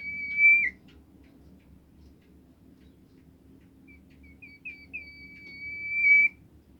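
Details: Bimoli bird song played to get other birds singing: a steady high whistle, a long quiet gap, then short rising chirps leading into a drawn-out level whistle, with faint low humming throughout.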